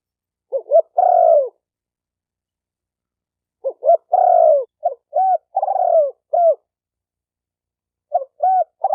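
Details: Spotted dove training call with two full phrases of paired short hoots and a long descending coo. These are followed by a looser run of short, separate cooing notes near the end.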